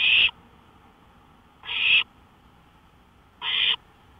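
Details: Owl calling at night from a porch at 1:53 AM on 5 May 2013: harsh, raspy screeching bursts, each about a third of a second, repeated three times at roughly two-second intervals over a quiet background.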